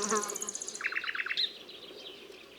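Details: Nightingale delivering a high rapid trill of evenly spaced notes, then a sequence of about eight lower, mid-pitched repeated notes ending in a sharp upward flick, with faint background hum.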